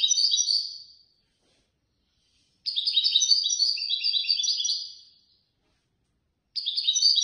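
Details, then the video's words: European goldfinch ranked third in a singing competition of a Casablanca bird club; long bursts of fast, bright twittering, each about two seconds, separated by silent pauses, three phrases heard. "الحسون الفائز بالرتبة الثالثة في المسابقة"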